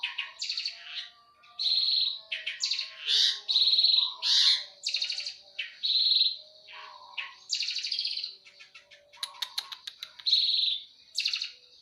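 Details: Eurasian tree sparrows in a fighting bout: nearly twelve seconds of rough, excited chirps, scratchy notes and clicking rattles, repeated in irregular loud bursts, used for tutoring caged birds.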